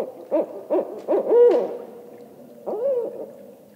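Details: Rising run of barred owl hoots: three quick, throaty notes climb into a loud, sustained, falling hoot. One more drawn-out hoot comes a second later against a quiet background.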